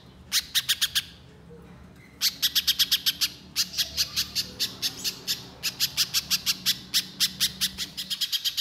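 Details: Little spiderhunter in the fast 'nembak' shooting song style, recorded as a lure: an opening burst of high chips, then near-continuous runs of crisp repeated notes in groups of five to eight, spaced by short breaks.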